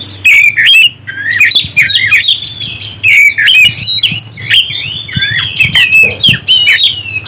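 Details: Oriental magpie-robin song meant to rouse other birds: continuous varied whistles, sweeping up and down, broken by brief pauses and scratchy notes, with a steady low hum underneath.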